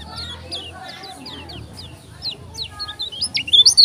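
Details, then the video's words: Kecial kuning, a Lombok bird, singing: faint chirps build into a loud burst of rapid, high, twisting whistled notes in the last second, over low background hum. "KECIAL KUNING TAK PUNYA NAMA, JOSS NGAMUK‼️ TAK TERBENDUNG"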